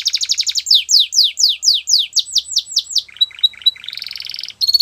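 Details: Belgian canary: a brief pulsing trill leads into about a dozen downward-sweeping whistles, then softer chattering notes, a buzzy roll and a final high phrase.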